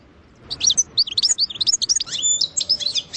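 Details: European goldfinch delivering a rapid sersera-style phrase of high liquid twitters and chirps, with a thin level whistle before a final burst of twittering.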